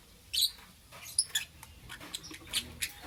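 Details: Short burst of lovebird chirping in the morning: a few thin, high, clipped notes spaced out over a few seconds against a quiet background.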